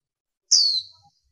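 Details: One brief, high, downslurred whistle from a female warbling white-eye, clean and isolated with nothing else audible.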